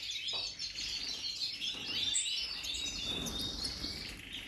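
European goldfinches twitter in a dense, high, tinkling stream of quick chirps and liquid trills, with several birds possibly overlapping, against faint background noise.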